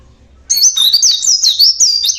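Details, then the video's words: Local Java Oriental white-eye in natural voice: a sudden, loud, very high twittering warble, notes leaping up and down in quick succession without pause to the end. "burung pleci lokal Jawa bunyi alami"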